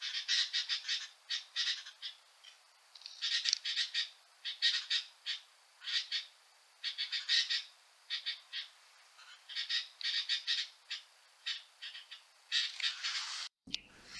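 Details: Sooty-headed Bulbuls at Doi Lang, Chiang Mai, on a cold day, acting aggressively and chasing off sibias, give harsh, scratchy chattering calls in quick bursts, about one cluster a second, ending with a brief thump of handling noise.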